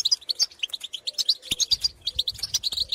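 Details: Field goldfinches chattering to birds of their own species with pitorreos and calls: a fast, continuous stream of high, liquid, tinkling notes, with faint low tones underneath.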